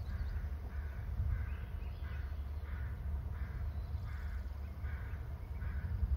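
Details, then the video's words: Eagle calling from its nest: a series of short, scratchy, hoarse notes roughly every half second to second, over steady low rumbling background noise. "scratchy calls from eagle on nest"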